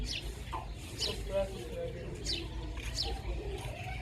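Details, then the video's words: Baby chicks giving short, high, downward-sliding peeps, roughly every half second to second, over a steady low rumble and faint soft murmuring sounds. "Cute Little Baby Chicks"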